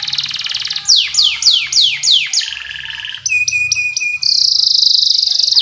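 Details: Varied canary lure song for young canaries: a buzzy trill, then loud downward-sweeping whistles, a lower rattle, clipped high notes and a dense, shrill, sustained trill, over faint low background sounds.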